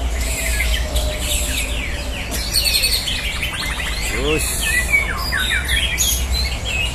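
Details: Murai batu (white-rumped shama) kept for song contests, singing in a simulated contest duel; rapid chattering bursts, rising whistled slurs and buzzy trills overlapping throughout, with a constant low droning hum underneath.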